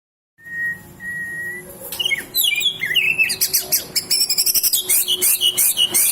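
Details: White-rumped shama singing a song filled with imitations of other birds, including cililin and lovebird: two flat whistles, then a tumbling run of varied rising and falling notes, ending in fast, harsh, high chattering.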